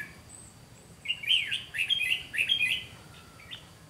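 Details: Red-whiskered bulbul decoy in Vietnam delivering fighting song: a quick run of bright, warbling, slurred notes lasting about two seconds, loud and lively, over quiet outdoor background with a thin high hum.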